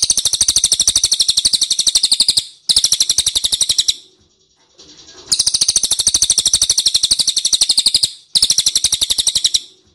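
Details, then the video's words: Sustained rapid chirping from an ashy tailorbird, high and sharp, in long runs broken by brief pauses. One gap holds a quieter, lower-pitched passage. Played as a lure so birds respond. "PANCINGAN CILILIN DIJAMIN NYAHUT"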